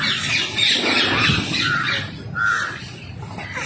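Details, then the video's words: Wild rose-ringed parakeets calling while being fed: harsh squawks and a few shrill, short screeches over outdoor background noise. "Feeding wild parrots and thier natural and cute sounds"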